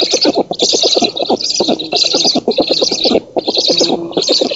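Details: Black stork nest in an oak, Poland, June 2017, with the female feeding and chasing off an intruder; rapid throbbing pulses in quick bursts under a wheezy hiss, broken by short gaps.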